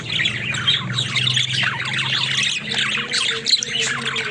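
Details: Pet budgies chattering nonstop with rapid, scratchy warbles and squeaks, busiest in the first half, with a low droning hum underneath throughout.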